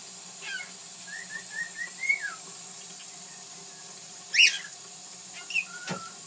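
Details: A male pet bird, recorded in 2010, sings and makes funny noises: a run of short, bending whistles, then a sharp squawk and clipped chirps, ending on a flat whistle, over a faint indoor hum.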